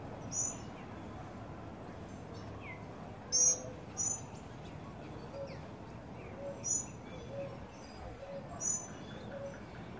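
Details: Tropical mockingbird family with young birds at a feeder in Trinidad on a sunny day: short, sharp, high chirps come singly or in quick pairs at irregular intervals over about ten seconds, above a soft steady background hiss.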